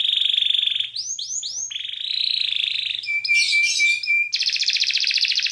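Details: Canary song used to stir males into singing and mating and to teach their young: rapid buzzy trills alternating with a few swooping whistled notes, a steady clear whistle, and a final harsh rolling trill.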